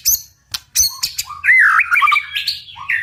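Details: White-rumped shama in intense 'tạch' song used to spur birds into fighting: a few loud sharp clicks separated by short gaps, then a rich flowing warble of rising and falling whistles.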